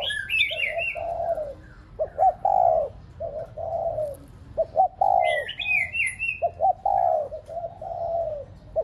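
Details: Spotted dove decoy, used to excite pet doves into cooing, gives repeated phrases of short clipped notes and long mellow coos over nine seconds. Higher chattering whistles from other birds are heard twice.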